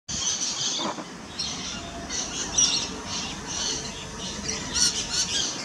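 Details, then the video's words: Rainbow lorikeet feeding, recorded with a Nikon P900 camera; a continuous run of harsh, high screechy chatter with overlapping squawks, dense and unbroken throughout, over faint background rumble. "Rainbow Lorikeet"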